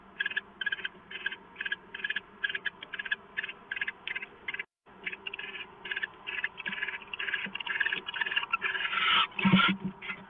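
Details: Owl receiving leftovers at dawn, 6:04 AM, 15 March 2014, on a live camera; rapid rasping hiss bursts about twice a second, a brief silent break midway, then louder scraping and rustling near the end.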